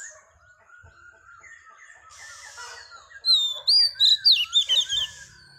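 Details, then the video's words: Female Oriental magpie-robin, wild-caught, singing to rouse males. Quiet rambling whistles and a buzzy patch lead into a loud run of rapid, clear, high, looping whistled notes in quick succession that fades away. "Choè than mái bổi lên giọng hót kích trống cực chất"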